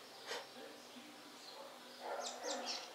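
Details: House wren (Troglodytes aedon) singing in the Sertão of Bahia gives a quick burst of three or four high, sharp down-slurred notes near the end, over low murmuring voices and background noise.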